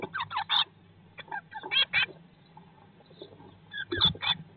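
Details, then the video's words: Day-19 blue tit young in a nest box, live broadcast, hatching having begun 19 May 2022. Short bursts of sharp chirping separated by quieter spells with soft scuffling sounds. "Blåmeisen i fuglekassen - Dag 19/ Bluetit in the nest box - Day 19"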